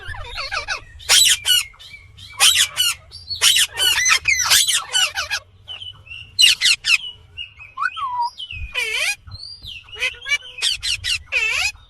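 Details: Natural voice of an Indian green ringneck parrot: loud, grating screeches in clustered bursts, alternating with thin whistled notes and down-slurred calls, each burst separated by brief quiet gaps.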